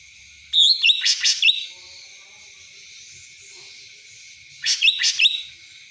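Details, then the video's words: Cucak ranting singing in a style likened to the kapas tembak: two short bursts of bright, twittering high notes with quick upward flicks, separated by about three seconds of quiet hiss. "cucak ranting rasa kapas tembak"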